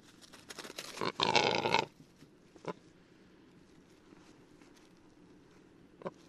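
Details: Singing male western capercaillie, Lithuania: a run of quick ticking clicks swells into a loud, harsh, wheezy grinding burst lasting nearly a second, followed by scattered single clicks in a quiet background.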